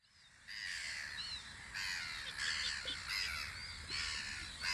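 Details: Gulls at their guard post on Audru polder in spring, giving harsh, overlapping calls with strident harmonic cries that rise and fall, in bursts after a quiet start, and faint rural background.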